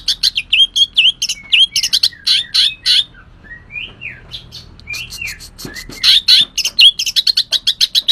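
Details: Javan white-eye singing energetically: bursts of quick high chirps, a short quieter stretch of soft rising and falling whistles, then renewed rapid twittering.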